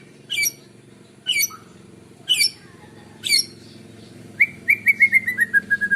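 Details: White-rumped shama singing in the morning, a song meant to draw in other birds: four harsh, rasping notes about a second apart, then a rapid run of clear whistled notes that steps gradually downward.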